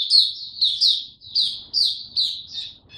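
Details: Developing song of a young male white-eye, 9 February 2022: high, down-slurred chirps delivered roughly every half second, each a short bright note, over a faint low hum.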